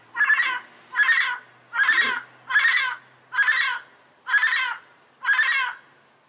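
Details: Wild yellow-headed parrot giving seven harsh, raspy squawks in a steady series, one roughly every 0.8 seconds, each a short buzzy burst of even loudness, against an otherwise quiet background.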